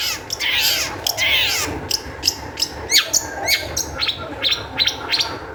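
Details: Long-tailed shrike in excited song meant to provoke other shrikes into singing; starts with a harsh, scratchy rattling phrase, then gives a quick run of sharp chips and short whistled notes.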